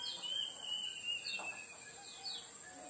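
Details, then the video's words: Song of the lemon-bellied white-eye meant as a lure to get birds singing: thin high descending whistles and short chirps, over a steady shrill insect background. "Pancingan kecial kuning cepat buka paruh alami"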